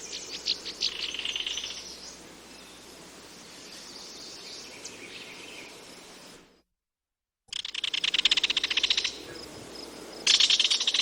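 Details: Kingfisher giving scattered high chirps over faint insect-like background hiss, then a short silence, followed by loud rapid rattling trills of sharp high notes in two bursts.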